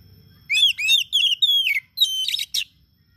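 An Oriental magpie-robin sings a rapid run of bright, varied whistles with sweeping, slurred notes.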